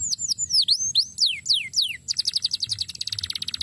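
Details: Canary singing, a training recording: clear downslurred whistles that drop steeply, then a quicker buzzy rattling trill of dense repeated notes.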